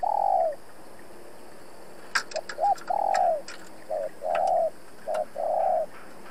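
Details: A decoy spotted dove calls to challenge rivals: low, hollow coos, one long, then a cluster of short and longer notes after a pause, with faint clicks and a steady background hum.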